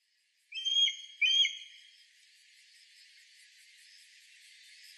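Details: Mountain hawk-eagle recorded 27 September 2017 in Shirataka, Yamagata, Japan, gives two loud, high, clear whistles about half a second apart, then faint hiss.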